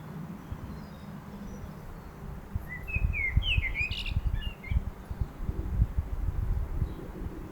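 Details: Garden song of a common blackbird in Milton Keynes: one fluty, warbled phrase of rising and falling notes running into a scratchy high twitter at its end, over constant low rumbling noise.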